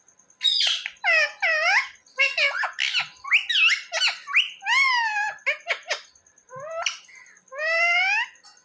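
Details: Talking pet parrot heard indoors, said to call mummy and papa; a dense string of chattering, speech-like syllables with swooping harmonics, ending in a few longer, rising drawn-out notes.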